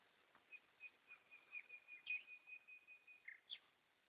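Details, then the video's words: Goldfinches singing at night: a run of short, bright chirped notes, about three per second, strung over a thin steady whistled tone, with a couple of sharper higher notes near the end; quiet background. "Goldfinches singing"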